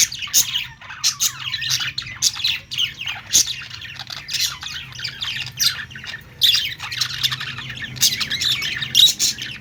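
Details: Budgerigars keep up a lively, warbling chatter of squeaky chirps and short harsh squawks, pulsing in irregular bursts with brief quieter gaps between them.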